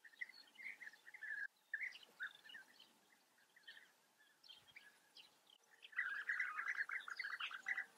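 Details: Many European bee-eaters calling at a breeding colony in the Eifel, Germany. Soft trilled chirps build into a dense, loud chattering chorus over the final two seconds.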